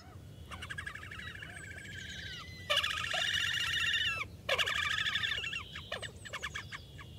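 Slavonian grebe giving shrill, rippling trills that swell into two loud, nasal bursts of rapid squealing, with quieter trilled phrases before and after.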